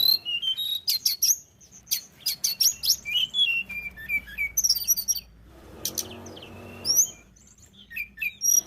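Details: Tledekan gunung singing vigorously as a lure for other birds: rapid high chips and twitters, a falling run of short whistles, a noisy gap, then a long thin whistle and further scattered notes.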